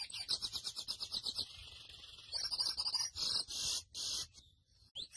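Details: Song of a grey seedeater, or mochuelo: quick high chirps repeated in a rhythmic series, then a drawn-out buzzy stretch, followed by short bursts of dense, rattling trills broken by brief pauses.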